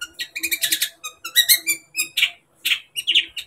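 Long-tailed shrike singing a fast, varied run of scratchy chatters mixed with sharp whistled notes, high-pitched and delivered in quick bursts without pause.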